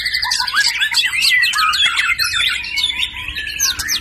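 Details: White-rumped shama of the F (filial) series singing a rapid, dense run of varied whistles, slurred notes and sharp chirps, tumbling up and down with hardly a pause.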